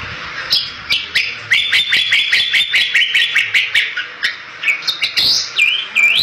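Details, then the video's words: Bali myna singing steadily, a sweet song meant to lure other Bali mynas: a fast series of short, even whistled notes repeated about two and a half times a second, then higher swooping whistles. "Suara Merdu Jalak Bali Gacor Untuk Pancingan Burung Jalak Balimu"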